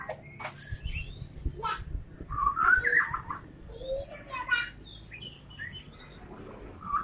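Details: White-rumped shama singing a varied run of short whistled notes and slurred phrases, loudest in a rich burst near the middle, with a low background hum.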